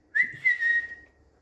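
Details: Single drawn-out whistle from a pet Indian green ringneck parrot on a bed, starting with a quick upslur, holding level and fading away.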